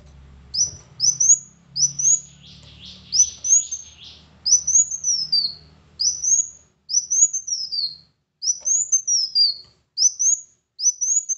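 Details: Kolibri Wulung sunbird song meant to make a lazy bird sing: about a dozen short, very high whistled slurs in steady sequence, with a burst of rapid buzzy notes early on and a soft low hum.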